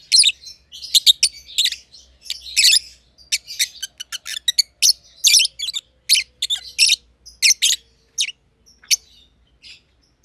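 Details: Two lovebirds, green personata and green pied personata, in their aviary giving lively scratchy high chirps in irregular quick bursts, thinning toward the end, over a faint low hum.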